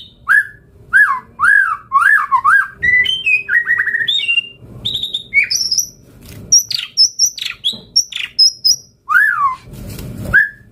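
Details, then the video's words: Murai batu, or White-rumped shama, singing gacor with isian: repeated clear whistled hooks, then a run of short varied notes climbing to very high, thin chirps, with a rushing noise near the end. "Pancingan Murai Batu Gacor Auto NYAUT Langsung RESPON - Masteran Suara Burung Murai Gacor Full Isian"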